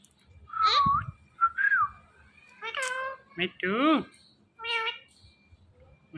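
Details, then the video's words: Indian ringneck parrot, called mitthu, mimicking words in a talking session: harmonic speech-like syllables with sliding whistled tones, short bursts spread across several seconds amid a quiet room. "Mitthu Parrot Talking Compilation"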